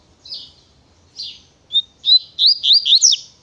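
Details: Double-collared seedeater singing the Tui Tui style: two buzzy notes, then a short whistle leading into a fast run of looping whistled notes with sharp downslurs at the end.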